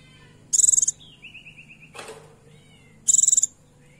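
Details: Female Oriental white-eye calling to attract a male, used as a lure to stir a male into singing: two short, very high buzzy trills at the start and end, with a faint lower whistled trill and a soft noise burst between.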